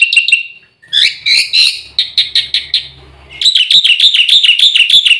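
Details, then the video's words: Black-winged myna (white starling) song with full filler phrases, used as a training recording to stimulate birds to sing: whistled notes and buzzy trills, ending in a fast repeated series of rising chirps. A faint low hum is heard. "suara burung jalak putih full isian RAJANYA PANCINGAN - MASTERAN bikin gacor"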